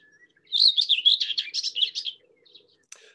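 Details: Common Whitethroat, a summer migrant in Sussex, singing a brief, scratchy, jumbled warble of about one and a half seconds, fast and high-pitched without any trill, followed by a faint click.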